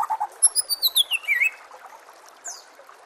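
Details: Murai batu, or white-rumped shama, master song for training, with water murmuring: a fast string of notes slides steadily downward, then fades into quieter scattered chips and one high sweep.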